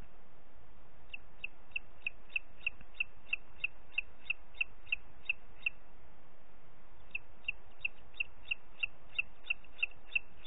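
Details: Booted eagle, Parc Natural dels Ports, 30 June 2021 at 11:01: a fast series of sharp, high whistles, a pause of over a second, then the repeated notes resume at the same quick pace over quiet hiss.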